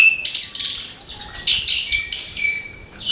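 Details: Busy morning song of an orange-headed thrush: continuous high twittering and whistled notes tumbling rapidly, with thin drawn-out whistles toward the end.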